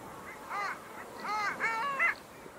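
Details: Long-tailed duck, selected as Estonia's bird of the year 2023: a few clear, nasal, upward-bending honking notes in short groups, the loudest near the end, with little background noise.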